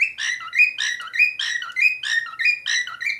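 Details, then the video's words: Singing cockatiel delivers a steady, rapid series of warbling whistled phrases, each a bright upward note dropping to a lower tone, repeated about every half second without pause. "cockatiel singing whistling talking"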